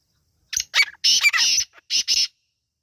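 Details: Irani teetar partridge chicks calling with rough, buzzy squawks, a few short notes and two longer rasping bursts, then two more quick harsh notes before silence.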